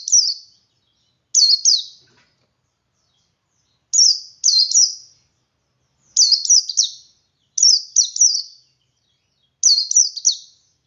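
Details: Ngalas singing by a male white-eye to draw other white-eyes into song: regular short volleys of two or three sharp, high, falling chirps, repeated about every one and a half seconds.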